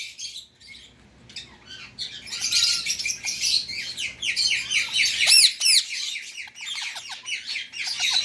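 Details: Harsh, continuous screeching chatter from a pet Indian ringneck parakeet, rapid rasping notes running for several seconds with one sharp high squawk midway.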